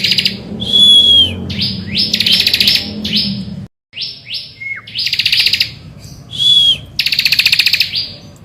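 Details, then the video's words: A Bar-winged prinia singing in the morning to lure other birds into song: high flat whistles and one dropping slur between bright, rapid rattling trills. A brief silent gap splits the passage, and the background is clean. "Pancingan Ciblek Gacor Di Pagi Hari"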